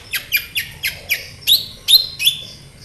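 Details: Sunbird, called kolibri ninja, heard in a lure recording meant to make other birds respond and sing: rapid series of sharp, high descending chirps about every quarter second, then thinner whistled notes with level tails.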